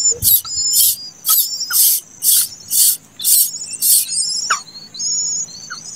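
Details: Late-hatched plaintive cuckoo chick giving harsh, hissing bursts about twice a second, eight in a row, then thin, high, wavering whistles and a few faint chirps.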